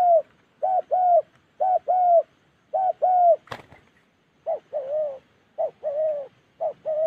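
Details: Spotted dove in the wild forest of Gia Lai, Vietnam's Central Highlands, delivering soft paired coos, a short note followed by a longer one, broken midway by a sharp click.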